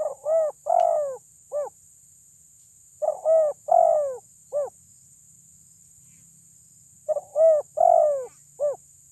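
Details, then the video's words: Loud-voiced spotted dove, a lure to provoke rivals, gives three matching coo phrases about four seconds apart. Each phrase has two short coos, a longer drawn-out coo, then a clipped final coo, over a thin steady high whine. "Pancingan TERKUKUR suara besar bikin lawan semua emosi"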